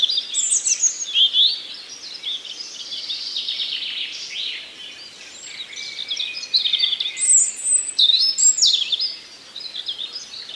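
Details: Nightingale singing in a forest: rich, varied high phrases of whistles, rapid trills and sharp chirps, with loud bursts around the middle and end, overlapping other birds singing in the background.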